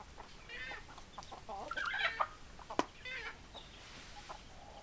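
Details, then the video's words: Chickens on a farm, hens clucking with short repeated notes and brief harsher squawks, two louder sharp calls near the middle, over a steady background hiss. "Chicken Sounds Noises Hens Clucking Roosters Crowing"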